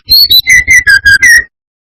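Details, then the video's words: Brown-chested jungle flycatcher song played as a lure to enrage rival males: a quick run of six loud whistled notes, the first two high, the rest steady lower whistles, each clipped and evenly spaced, then silence. "Pancingan SRDC gacor atas bawah || suara bikin ngamuk SRDC lainnya"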